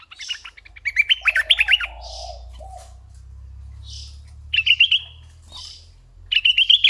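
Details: Red-eyed bulbul kept as a decoy, singing a tumbling warbled phrase, then two short quick bubbly bursts, over a steady low hum.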